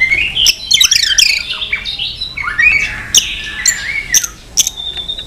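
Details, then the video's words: Competitive many-voiced song from a white-rumped shama that flicks its tail: dense tumbling whistled phrases, sliding notes and sharp high clicks, continuous and varied throughout. "chòe lửa hót nhiều giọng kích bổi hót đấu"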